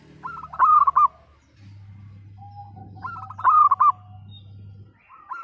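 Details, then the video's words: Local zebra dove, a lively singer with a 'pecah' (split) voice style, used to prompt silent, lazy birds to sing. Short bursts of rapid, stuttering, ringing coos come about every three seconds over a steady low hum. "Perkutut Lokal Gacor Suara PECAH Cocok Untuk Pancingan Yang Bisu Dan Malas Bunyi"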